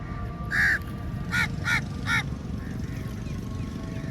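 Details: Crows in a large flock attacking food at feeding time; one long raspy caw, then three short harsh caws in quick succession, followed by quieter distant calling.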